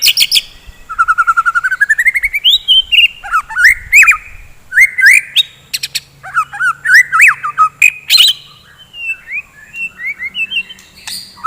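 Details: Energetic morning 'gacor' song of a white-rumped shama meant to rouse fighter birds: a fast rattling trill sweeps upward into a long run of varied slurred whistles, chips and sharp clicks.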